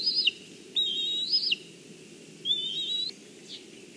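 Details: Juvenile black kite calling from a branch in Kurzeme, Latvia, on 14 July 2023 at the mother's arrival with fish; three thin, high whistles with a quavering, slightly descending end, then a faint trailing note.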